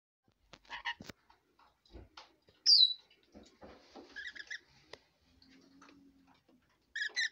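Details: Female pet red lorikeet jabbering at bedtime: scattered clicks and short nasal harmonic calls, a sudden shrill downslurred squeal near the middle, then buzzy stacked notes and a faint low hum, ending with two harsh chirps.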